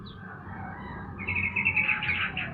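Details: Sooty-headed bulbul sunned in the morning, giving a short burst of lively, chattering warbled notes in the second half, after a quiet start with a soft background hum.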